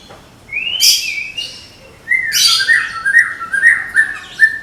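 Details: White-rumped shama of the Medan type, a caged songbird prepared for contest, sings a long rising whistle near the start, then bursts of harsh high notes and a run of short slurred phrases.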